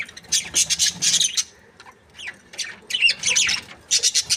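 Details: Breeding pair of budgerigars, described as happy, chirping: bursts of scratchy, buzzy chatter and squawks in quick runs, with short pauses between bursts and a few rising whistled notes.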